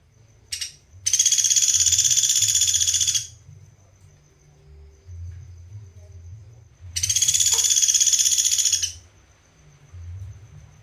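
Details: Pelatuk beras from Sampit, used as a master recording for songbird training, gives two loud, dense, rapid trills about two seconds each, separated by a short pause, with a faint high tone and low background hum.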